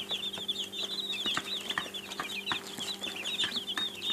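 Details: Young chickens, a group of chicks, give their peeping calls, made when hungry or wanting attention: a dense, continuous stream of short, high, slightly wavering cheeps overlapping one another, with faint clicks underneath.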